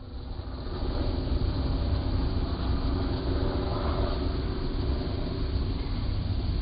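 Continuous low engine rumble of passing traffic with no bird or other animal voice.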